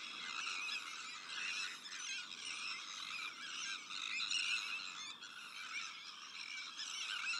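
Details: Sandwich tern breeding colony, alongside black-headed gulls, Arctic and common terns, producing an unbroken wall of raspy, scratchy calls from many birds at once, swelling slightly in loudness toward the middle.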